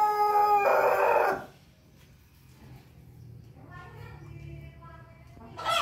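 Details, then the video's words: Pelung rooster crowing: the loud harmonic end of a crow fades after a second and a half, quiet follows with faint calls, and another crow starts right at the end. "ayam pelung berkokok"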